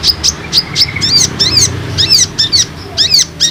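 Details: Olive-backed sunbird calls meant to draw a response from untrained sunbirds: thin high tweets followed by sharp, down-curving chirps repeated about once a second, against a low background hum.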